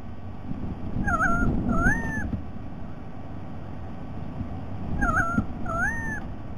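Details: White-bellied sea eagle, recording dated 07 12 2020: two pairs of wavering nasal notes, each pair a quivering note followed by a longer rising-then-falling one, about four seconds apart, over steady low rumbling background noise.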